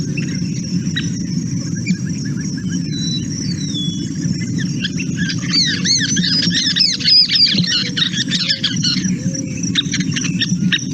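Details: Scissor-tailed flycatchers (Tyrannus forficatus) talking to each other in a jumbled mix of high squeaks, purrs and sputtering notes, densest midway, over a steady low background rumble.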